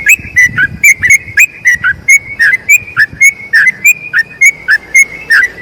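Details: Sooty-headed bulbul in a long rolling song meant to tutor other bulbuls: sharp, clear whistled notes repeated roughly every quarter second, some swooping down then up, over a soft rumble of background noise.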